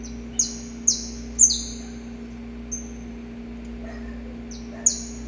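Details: Male Saffron finch recorded in nature singing before dawn to a female: a few loud, high, down-slurred notes at uneven intervals, separated by pauses, over a low steady hum.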